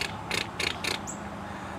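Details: Buff-bellied Hummingbird at Hugh Ramsey Nature Park, Harlingen, south Texas, giving its typical fast run of three harsh, buzzy chip notes about a third of a second apart, over a low steady hum.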